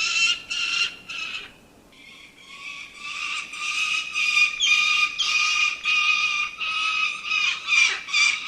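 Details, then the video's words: Falcon giving a run of harsh, rasping notes that start after a short lull and then repeat rapidly and steadily, roughly two per second, loud and grating, with a faint whistled tone running beneath. "Falcon Birds Sound & Call"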